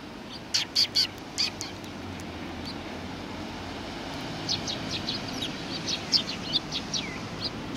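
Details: Sparrows recorded on 22 December 2018 giving short, sharp high chirps in a quick cluster, then a looser scatter of thin chirps over a steady low background rumble.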